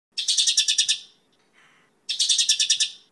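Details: Mongolian lark song used for training and luring birds: two rapid bursts of about eight buzzy trilled notes high in pitch, separated by a pause with a faint rasping note.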